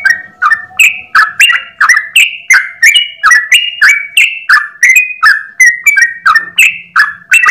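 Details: Morning 'ropel' song of a Yellow-vented bulbul (trucukan), kept as a master recording to teach other birds: rapid, rhythmic whistled notes in a steady run, each note a short bright slur, pitches stepping up and down continuously.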